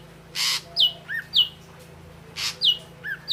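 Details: Ashy drongo singing: harsh rasping bursts alternate with clear, high, downslurred whistles and lower slurred notes, in a lively repeated pattern within three seconds.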